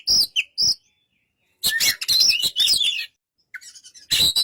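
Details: White-rumped shama giving separated bursts of loud chattering and whistled notes, with a clear pause in the middle.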